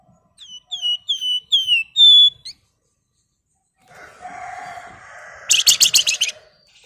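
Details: Female flamboyan calling to a male, in a lively ngebren style: a run of five clear, downward-sliding whistles, then a low hum, then a fast buzzy rattling burst of tightly spaced notes.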